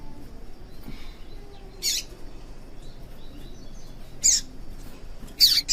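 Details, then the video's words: Female yellow-bellied seedeater call, meant to excite males into song: three crisp, high, strong chips at rising loudness, roughly one to two seconds apart, over soft background noise. "PIADO DE FÊMEA DE PAPA CAPIM PARA DEIXAR SEU PAPA-CAPIM DOIDO PARA CANTAR LOGO!"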